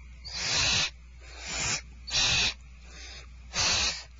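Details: Starr Ranch barn owls at feeding time on 2/1/12 give drawn-out breathy screeching hisses, loud bursts alternating with quieter ones, roughly one per second, over a faint steady low hum.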